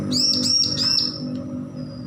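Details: Young bar-winged prinia, just weaned from hand-feeding, practising its song: a quick run of four high, arched whistled notes, then a fading faint note, over a steady low hum.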